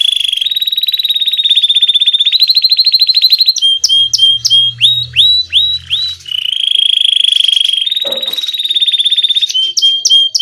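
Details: A Belgian canary, a domestic canary, sings rapid rolling trills and bright chirps, with sharp upward-swept notes between them.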